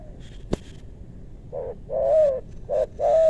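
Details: Spotted dove during luring in west Bogor forest; a sharp click, a second of quiet, then two cooing phrases, a short note leading into a sustained, level-then-falling coo.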